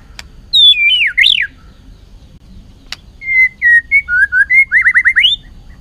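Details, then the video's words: Stimulated white-rumped shama in a bout of fighting song with constant tail beating: sharp click notes, a swooping whistled phrase, then level whistles leading into a fast run of rising whistled notes that climb at the end. "chòe lửa tạch liên tục đập đuôi dùng kích chòe lửa lên lửa hót đấu"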